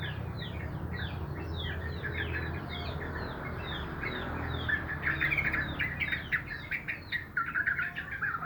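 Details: Sooty-headed bulbuls in the morning: lively, chattering flurry of quick chirps and warbled notes, becoming louder and more emphatic in the second half, with a low rumbling hum in the background.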